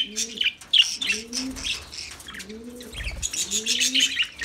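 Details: Sharp, squeaky lovebird chirps come in uneven clusters, with low dove coos repeating in the background.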